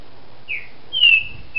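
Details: Green-winged saltator kept in captivity in Brazil, manhoso song style: a short falling whistle, a pause, then a long clear descending whistled note with a second starting at the end.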